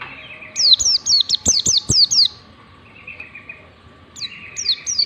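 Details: White-eye ngalas song for teaching other white-eyes: a soft buzzy trill, then a brisk series of about eight high falling whistles, a lull with faint trilling, and a few notes resuming at the end.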